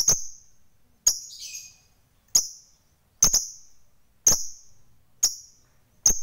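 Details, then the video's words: Hobbyist's fighter lovebird giving crisp, piercing single chips roughly once a second, seven in all, with one longer buzzy note after the second chip; calls used to provoke rival lovebirds. "NGEKEK TERUS Memancing EMOSI Lawan, Lovebird Fighter Ngekek Panjang SUPER GACOR Jeda ISTIMEWA"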